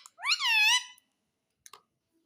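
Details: Talking pet parrot, said to say "mummy papa" and ask for roti; one drawn-out, harmonic, speech-like note rising then gently falling for about a second, followed by a few faint clicks against otherwise quiet indoor surroundings.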